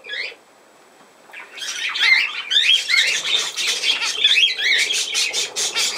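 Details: Budgerigar chatter: after a brief high note and a near-silent pause, a dense, busy warble of rapid chirps, squeaks and buzzy trills runs on without a break.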